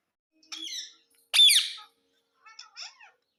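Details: Pet talking parrot, said to mimic "mummy" and "papa", in a small room: a raspy harmonic call, a loud harsh squawk, then a few soft broken chattering notes.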